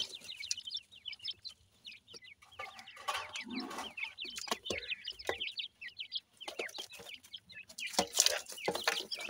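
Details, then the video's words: Pakistani black francolin chicks peep in quick, high, slightly rising notes while feeding. The chorus is dense, with occasional noisy clatter and a brief low rumble. "pakistani dakhni teetar chicks feeding"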